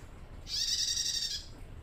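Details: Young female bar-winged prinia still learning to sing, calling to males with a single harsh buzzing burst lasting nearly a second, high-pitched and rasping, over faint low background noise.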